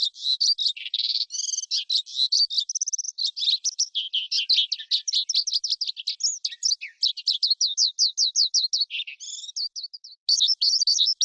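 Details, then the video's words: Extended skylark song: fast, rippling high trills and chirps strung into a continuous, rolling outpouring, with brief changes of pace and no other sounds. "Tiếng Chim Sơn Ca Rừng Hót Hay Nhất"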